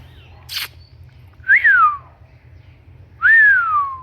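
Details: Pet Indian ringneck parakeet indoors giving two loud whistles, each rising briefly then sliding steadily downward, after a short noisy burst.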